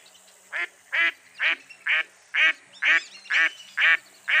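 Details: Mottled duck, a dabbling duck, giving a steady series of harsh, nasal quacks, about two per second, each short and raspy with rich harmonics, in a quiet setting.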